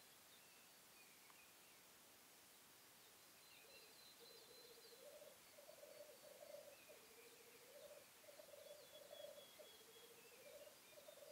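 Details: Black grouse on a lek in the 2015 mating season: after a quiet opening, a rhythmic bubbling coo builds and continues in pulsing waves, with thin high calls of other birds scattered throughout.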